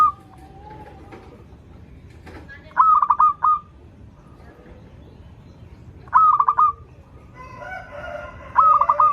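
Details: Local zebra dove, singing freely with a sweet voice, used to draw young doves into singing: three short bursts of rapid, rolling coos spaced several seconds apart over a steady low background hum and faint other bird notes.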